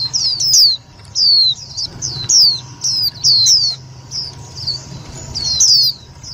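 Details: Indian white-eye lure call used for trapping and to stimulate other white-eyes: loud, clear high-pitched downslurred chirps in quick pairs and short bursts, repeated through the clip with brief pauses, faint low hum beneath.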